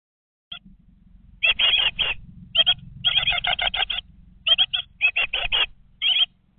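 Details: Great tit chicks, 20 days old, in a nest box watched by a webcam: bursts of harsh, buzzy chirps in short clusters, several notes each, separated by brief pauses, with a faint low hum beneath.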